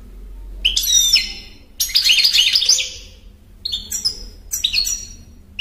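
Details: European goldfinch singing bright, twittering high phrases with quick trills and buzzy notes, delivered in short bursts separated by brief pauses over about five seconds; faint low hum in the background.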